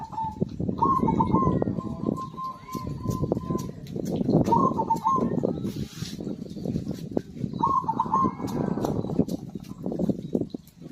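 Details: Zebra dove song meant to stimulate silent birds into singing: three repeated phrases, each a bubbling burst then a fast even run of clipped coos, about every four seconds, with constant low rumble and a brief crackle.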